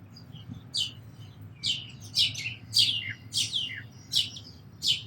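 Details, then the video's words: Sparrow chirping in bright, high, clipped notes, about eight in five seconds, some doubled into quick pairs, irregularly spaced, with a soft low hum behind. "Very Beautiful Birds & Sparrows Sounds"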